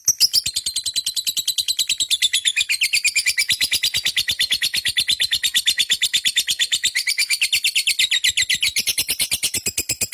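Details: Long ngekek from a lovebird, a sustained, machine-gun run of shrill chirps, nearly three per second, kept up without pause for ten seconds, the pitch wavering slightly up and down.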